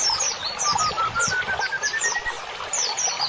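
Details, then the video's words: Cage-bird training birdsong: a steadily rising series of short whistled notes repeated about every tenth of a second, while thin high downslurred chips sound above it. "MASTERAN INI BUAT TERAPI BURUNG"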